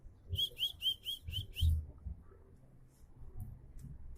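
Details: Bar-winged prinia, described as beginning to sing more diligently, delivers six quick, bright, high chirps evenly spaced, then falls quiet with only faint background noise and low rumble.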